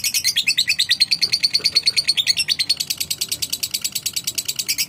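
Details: Lovebird calling back in answer to another bird: fast, evenly spaced series of shrill, high chattering notes, roughly three per second, running without a break.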